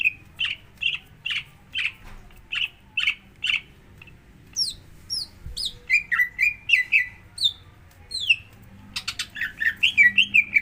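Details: Prompting song of a greater green leafbird, played to coax another bird into singing: a brisk run of short, even chirps, then thin, high falling whistles, ending in a lively, varied chattering warble.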